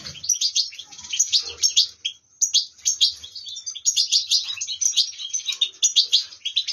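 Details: Goldfinch in song, a rapid, unbroken stream of bright, high twittering and tinkling notes with scarcely a pause, loud and close throughout.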